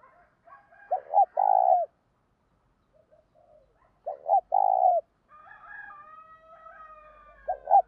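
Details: Spotted dove giving a thúc-style coo, used to rouse decoy birds: two phrases about three seconds apart, each a quick double note then a long, low, rolling coo, followed by a fainter drawn-out harmonic call and another double note at the end.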